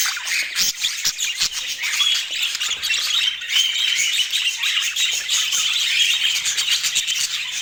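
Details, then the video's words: Budgerigar chatter: a dense, unbroken stream of rapid chirps, scratchy squawks and warbled notes, overlapping as if from several birds, steady in loudness throughout, with a faint low hum in the background. "Dieser Sound macht Wellensittich Vogel verrückt"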